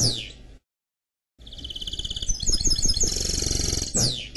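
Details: Canary and goldfinch mule singing: a falling whistle, a short silence, then a rising sequence of fast repeated notes and bright trills ending in another descending sweep.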